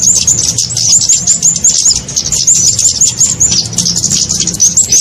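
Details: Kemade lure call played to attract small birds for trapping: a steady stream of high, thin, slurred chirps and tweets, rapidly repeated without pause, over a faint low background hum.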